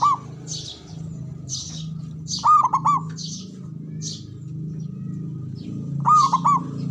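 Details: Local male zebra dove cooing in short trilled bursts of three to four notes, repeated three times. Noisy high chirps from other birds and a continuous low droning hum fill the background.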